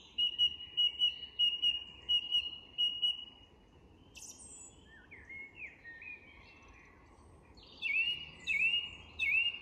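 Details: Song thrush singing at dusk in English woodland: a clear whistled phrase repeated about five times in quick succession, a pause filled with varied shorter notes, then another phrase repeated three times. Other birds of the dusk chorus faintly behind.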